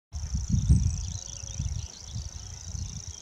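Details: Common grasshopper warbler singing at Morton Bagot in 2020: a steady, high, insect-like reeling trill runs unbroken through the whole stretch, over low rumbling wind or handling noise.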